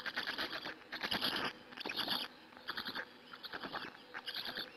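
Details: Hungarian Black stork nest on 2 May 2017 in the afternoon, chicks being fed by an adult, nest camera: rough rasping bursts about once a second, scratchy and broadband, with brief gaps between.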